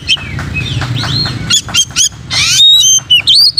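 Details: Oriental magpie-robin song used to train other magpie-robins: slurred arching whistles and buzzy chips build to clear high sustained whistles and a quick wavering trill at the end.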